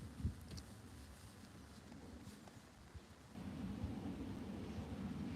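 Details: Deep rumbling, rain-like noise that grows louder partway through; no animal calls.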